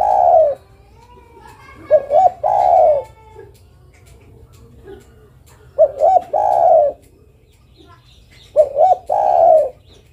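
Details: Female spotted dove calling the male, a long coo followed by three repeated phrases of two short notes and a drawn-out coo, spaced about three seconds apart, with faint soft clicks between.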